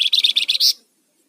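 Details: Rufous-fronted laughingthrush used as a lure and master bird: a short, loud, harsh rattle of about six rapid buzzy pulses, ending in a sustained rasp, then silence.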